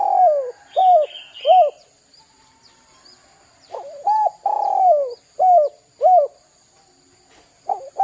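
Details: Spotted dove call recording meant as a lure to draw calls from young doves: a steady series of soft, low coos, single hooting notes and a longer rolling coo, delivered in two phrases, with a faint chirp from another bird early on.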